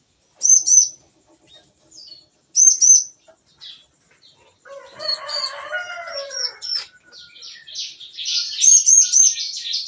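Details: Bar-winged prinias in an aviary pen in the morning. Isolated sharp high chips are spaced about two seconds apart. A mix of lower whistled warbles and rapid high chatter follows, building toward the end.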